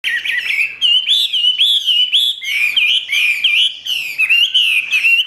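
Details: Caged Chinese hwamei singing in the style called "ngũ trường": loud, continuous run of bright whistled phrases, slurred notes rising and falling with quick upward flicks, barely a pause through the whole stretch.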